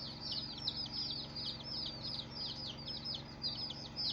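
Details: Colored baby chicks, several together, giving rapid high peeps that slide downward, overlapping in a continuous busy chorus over a faint low mechanical hum.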